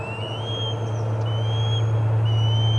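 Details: Osprey calling at the Charlo nest during the day's first food delivery, 25 August 2020: three high, thin whistled notes, each rising and then levelling off, spaced about one second apart, with a constant low electrical-like hum beneath.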